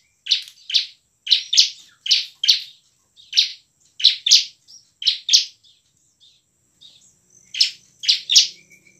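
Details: Energetic bar-winged prinia song in ngebren and nembak style, meant to prompt idle birds to sing and fight; sharp buzzy chirps in quick pairs, a brief lull, then the chirping resumes.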